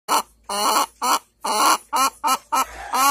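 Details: Hen looking for a comfortable place to lay an egg: loud, harsh, nasal calls in a series of about seven short bursts, some drawn out, rising and falling, close to the recorder.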